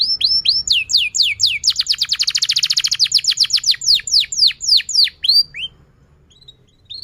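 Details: Canary singing as a lure to teach young canaries and revive silent ones: swooping whistled notes speed into a fast rolled trill, then slow again into separate downslurs, followed by near silence.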